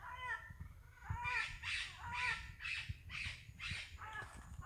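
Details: Parrots give harsh, raspy squawks, repeated about once a second in a loose series. Each squawk is buzzy and rough, with a low rumbling background.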